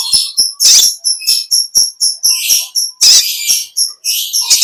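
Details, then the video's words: Olive-backed sunbird, the kolibri ninja, singing the long ngekek chatter in vigorous, natural voice. Dense, very high twittering phrases mix sharp clicks with buzzy, rattling bursts, coming in rapid uneven pulses throughout. "Original sound konin kolibri ninja suara lb ngekek panjang gacor"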